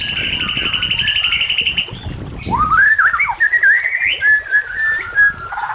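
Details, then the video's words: White-rumped shama song for luring and training other shamas: after a noisy, buzzy opening, a loud rising whistle leads into warbling, slurred whistled phrases. "Dalam Hitungan Menit Saja Murai Batu Langsung Merespon Dan Ikut Bunyi Dengan Pancingan Ini"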